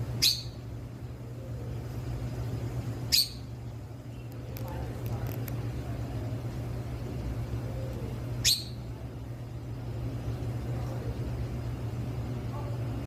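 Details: A Bali myna at a zoo in Oklahoma City, looking at the camera, gives three sharp, harsh, high chirps several seconds apart, over a steady low mechanical hum.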